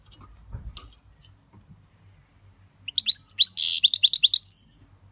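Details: European goldfinch delivers a short tumbling phrase of fast bright chirps and a harsh buzzy trill, after some soft low rustling at the start.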